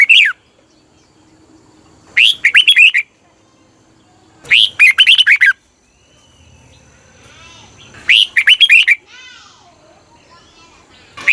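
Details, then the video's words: Red-whiskered bulbul song for exciting caged birds: four phrases of rapid, chirpy whistled notes about two to three seconds apart, with softer sliding twitters from other birds between them. "เสียงนกกรงหัวจุก สำหรับต่อ หรือ เปิดให้นกคึก"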